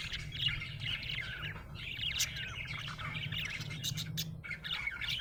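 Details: Happy budgerigar warbling steadily: a stream of twittering, slurred chirps and squeaks, fairly even in loudness, with a faint low hum underneath.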